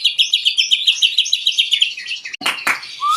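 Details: Song of a white-rumped shama (murai batu), used as a lure to provoke other birds to sing. It opens with a fast, even trill of bright repeated notes, then harsh broadband bursts and a short rising whistle.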